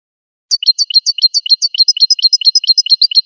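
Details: Goldfinch song: rapid repeated two-part notes, a high chip dropping to a lower tick, delivered in a rhythmic, rattling series in clean silence.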